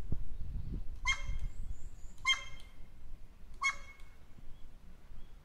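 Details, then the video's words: Wild crow, 15 July 2016, imitating the constant barking of a neighbourhood dog: three harsh, bark-like calls roughly every 1.3 seconds, each a short, rich, stacked burst, with a low rumbling background. "ワンワンワン！ カラスですが何か？ (犬のマネ)"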